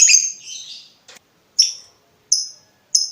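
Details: Lovebird, recorded as master material to teach other birds; a raspy high squeal followed by three short sharp descending chirps spaced well apart.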